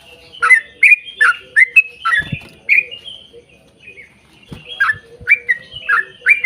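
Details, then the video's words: Yellow-vented bulbul in 'ropel panjang' lure song for other bulbuls: fast bubbly phrases, a couple of sharp knocking thuds, a short quieter lull, then the bright rapid notes return. "trucukan gacor ROPEL PANJANG buat pancingan trucukan agar bunyi"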